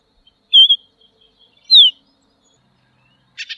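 A Tropeiro Seedeater sings a clear, high whistled phrase, then a sharply falling slurred whistle, and ends with a short buzzy burst. The surroundings are otherwise quiet.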